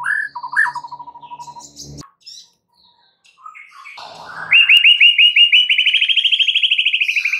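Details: White-rumped shama singing as a lure for other shamas: a few loud whistles and a descending chatter, a brief pause, then a long, even, rapid trill of repeated notes rising slightly in pitch.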